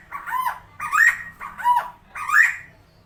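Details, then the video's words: Tame captive helmeted friarbird, locally koak kao or cucak timor, giving four loud coarse squawking notes about every 0.7 seconds, alternating a dipping lower note with a rising higher one. "KOAK KAO/CUCAK TIMOR (Philemon buceroides) GACOR JINAK + SUARA UNIK"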